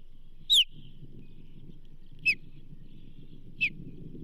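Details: Osprey at the Charlo nest during a whitefish delivery on 29 May 2024; three sharp descending whistled notes, the first loudest, irregularly spaced, over a steady low rumble.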